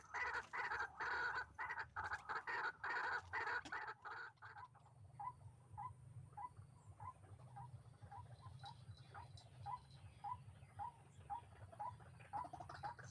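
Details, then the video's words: White-breasted waterhen calling during trapping with a hanging snare trap: a few seconds of harsh, croaking bursts, then a steady series of short, rising notes, about two per second, over a low background hum. "Pikat burung ruak ruak, BUKAN MAIN GANASNYA"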